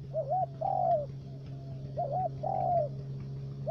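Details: Trapping decoy spotted dove from Cà Mau's U Minh area, Vietnam, three-note voice: soft wavering double coo leading into a longer falling coo, repeated twice, and the next phrase beginning at the end, over a steady low hum.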